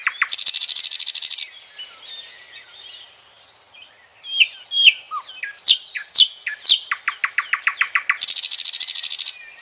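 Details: Singing common nightingale: a fast buzzy rattle, a pause of soft twittering, then strong whistled notes and descending strokes leading to an accelerating repeated-note series and another harsh trill.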